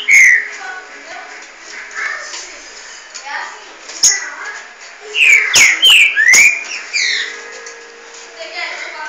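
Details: Green-winged Saltator (trinca-ferro), two birds pitted against each other, giving loud clear whistled phrases that slide up and down, mostly grouped in a burst between five and six and a half seconds, with softer warbling before.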